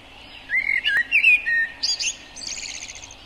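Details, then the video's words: Common blackbird (Turdus merula) singing: a low, mellow fluted warble of several slurred whistled notes, followed by a thin, high, scratchy twittering flourish at the end of the phrase. "O Canto do MELRO PRETO (Turdus Merula) Bird Song - Blackbird, Mérula"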